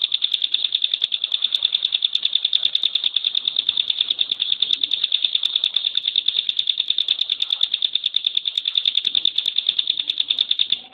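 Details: Rapid-fire 'tembakan' song of a caged bar-winged prinia (ciblek pinus): a steady, unbroken rattle of identical high clicking notes lasting the whole eleven seconds, with no other sounds.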